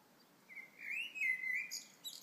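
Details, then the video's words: A blackbird sings in the morning: one mellow, fluting phrase that wavers and slides, then ends in a thin, squeaky twitter, over a quiet outdoor hush. "Blackbird sings in the morning"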